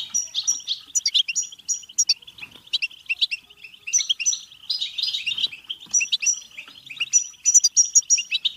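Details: European goldfinch singing to stimulate singing and mating: fast, twittering high chatter of tinkling notes and buzzy trills, delivered in dense bursts almost without pause.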